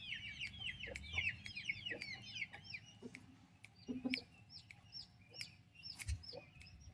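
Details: Active turkey chicks and mother: a rapid cascade of downward-sweeping high chirps at first, then sparser peeps punctuated by sharp clicks and taps.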